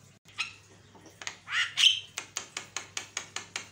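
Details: Javan myna lure song used to provoke other mynas: scratchy rasping notes and a short whistle, then evenly spaced sharp clicks repeated about three times a second.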